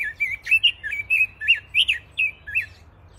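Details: Pekin robins singing in an aviary: a quick run of bright, warbled, up-and-down notes repeated several times a second for about three seconds, with a faint low hum underneath.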